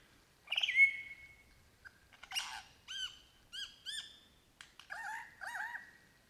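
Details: Singing lyrebird in the Australian bush, imitating crow, kookaburra and magpies: a loud, rough whistled call, then a string of clear, arched, ringing notes repeated in pairs, ending in lower doubled warbles.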